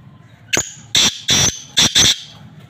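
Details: Black francolin, known locally as kala teetar, calling close by: one sharp click followed by four loud, harsh, grating notes in quick rhythmic succession, each about a fifth of a second, over quiet background.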